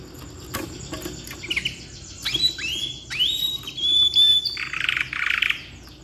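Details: Canary of the black-red variety singing in ngeroll style as tutor material: a sharp click, then scattered upslurred whistles and short buzzy bursts, softer and more broken than full rolling phrases.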